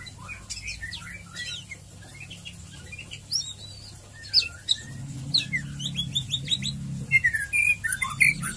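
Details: White-rumped shama lure song in ngeriwik and ngeplong style: a dense run of quick chirps, slurs and whistles, growing louder toward the end over a low droning hum.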